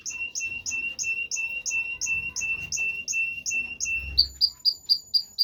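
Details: Canary song built from a repeated two-part note, a high chip and a lower whistle given about three times per second, then changing to a higher, sharper phrase.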